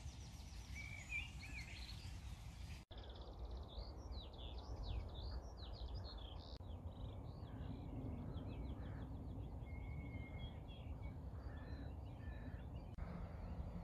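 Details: Birdsong recorded 3/4/2020 on an early spring walk between Bromsgrove and Tardebigge Reservoir: several birds giving high twittering, rapidly repeated notes and a sustained whistled tone, with a sharp cut partway through and constant low background rumble.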